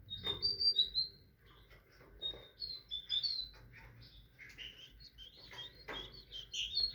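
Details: Tit song: clear high whistled notes and short chirps in varied, irregular phrases, some sliding down, spread over the clip with brief pauses between bursts.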